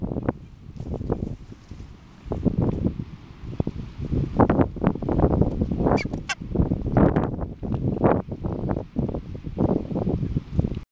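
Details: Masked booby pair on Tern Island give low, hoarse honks in irregular bursts, some short and some drawn out, over a steady rumble of wind.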